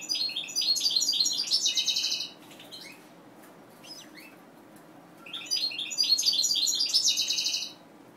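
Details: Captive-bred mutation European goldfinch singing two bursts of bright, twittering high notes mixed with buzzy trills, each lasting about two seconds with a quiet gap between them; faint low hum in the background.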